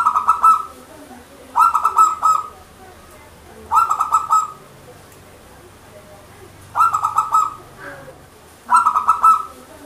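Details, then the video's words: Local zebra dove (perkutut lokal) song used as a lure: five soft, rolling cooing phrases about every two seconds, each a quick stuttering burst ending in a longer coo; faint background hum. "Perkutut Gacor PANCINGAN PERKUTUT LOKAL"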